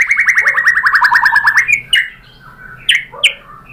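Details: White-rumped shama (murai batu) pancingan lure singing meant to provoke other birds into answering: a rapid burst of about fifteen buzzy, evenly repeated notes over under two seconds, then a few sharp scattered chips before a quiet pause.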